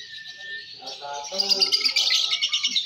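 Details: A Balibu lovebird at a singing contest gives a buzzy, high chattering trill that becomes louder and more pulsed toward the end, while a person speaks in the background.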